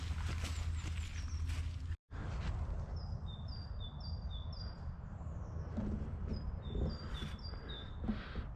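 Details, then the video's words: Great Tit in woodland as birds come back into life, a call likened to 'teacher, teacher, teacher': high thin two-note phrases alternating up and down, repeated in two bursts after a brief cutout, over low wind rumble. "Some say that call sounds like it's shouting, "Teacher, teacher, teacher.""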